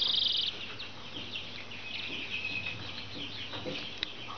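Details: Brahma chicks giving many overlapping high, thin peeps and short downslurred cheeps, fairly soft and continuous against a low steady hum.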